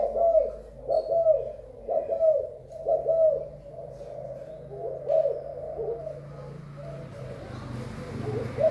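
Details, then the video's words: Thai spotted dove, recorded 24 February 2019, cooing in a steady series of short hollow notes, roughly one per second, then fading into soft hiss and hum. "Cu gáy thailan"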